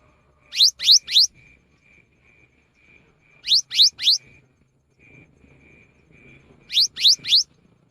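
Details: Afternoon song of a cinereous tit, said to prompt other tits to sing: three bursts of three quick, high, rising whistled notes, spaced about three seconds apart, with a constant faint high tone between them.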